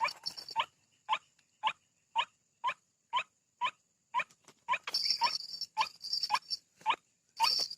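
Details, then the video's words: White-breasted waterhen call used as a lure to draw birds out of bushes: loud, harsh, clipped notes repeated about twice a second in a steady series, later overlapped by bursts of high hissing noise. "mikat ruak ruak,dengan suara ini.ruak ruak langsung keluar dari semak2."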